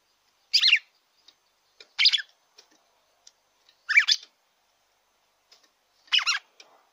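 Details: Red-cowled cardinal singing, meant to excite a captive bird: four dense, bright warbled phrases about every one and a half seconds, separated by silence.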